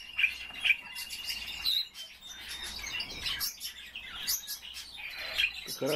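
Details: Caged common starling warming itself while singing: mixed chattering, clicks and thin whistles, a sustained level whistle early on, busy scratchy notes throughout, faint household noise.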